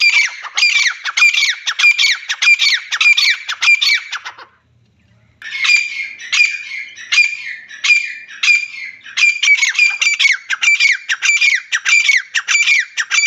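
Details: Female francolin, known locally as teetar, giving loud grating squawks in fast regular runs, roughly ten notes every few seconds, broken by one brief silent gap before the series resumes.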